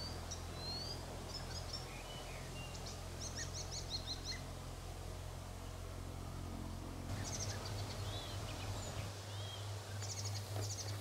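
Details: European bee-eaters at a small sand pit in South Bohemia, Czech Republic, on 13 June 2021, give soft, rolling, trilled calls in short scattered bursts over a steady low rumble of wind or distant engine noise.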